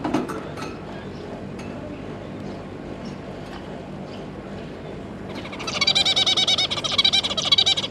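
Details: Zebra finch adults with their three juveniles, 9 June 2022: mostly quiet with faint clicks for five seconds, then an energetic run of rapid, nasal, buzzy chatter to the end.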